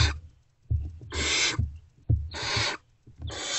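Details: Hungry great horned owlets in a nest box before dawn on 3 March 2024, responding to a returning adult: loud broad rasping hisses about half a second long, mixed with dull thumps and shuffling from movement in the box.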